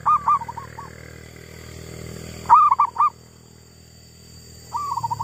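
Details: Wild female zebra dove, lured while trapping, gives a soft rolling coo: a loud clipped three-note phrase, then a quieter bubbling trill, repeated a few times over a low hum.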